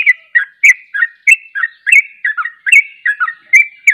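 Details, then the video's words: Sooty-headed bulbuls in 'ropel' song, one bird prompting another to join. A continuous rapid stream of short, bubbly, slurred notes, roughly three per second, with a gurgling, chattering quality. "Ropelanya Bikin KAGET Trucuk Lain Ikut Ropel"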